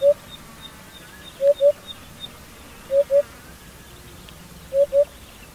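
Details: African hoopoe giving soft, low, hollow paired notes, hoop-hoop, repeated about every one and a half seconds against a quiet background with faint distant birdsong.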